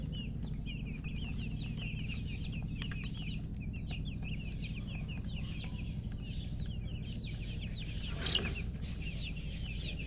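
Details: Just-born chicken chicks chirping loudly, a fast stream of brief high peeps, often upswept, overlapping from several chicks, with a low background hum and a brief broadband rustle near the end.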